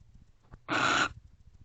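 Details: Single drawn-out raspy screech, about half a second long, from a wild barn owl at its nest box at 12:30 am on 30 November 2023, while the pair guard together; quiet low hum around it.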